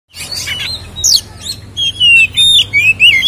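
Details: Oriental magpie-robin (kacer) in full fighting-style 'ngeplong tarung' song, used as a lure to rile other kacer: clear whistled notes sliding up and down, mixed with high buzzy chatter, phrases coming in quick succession.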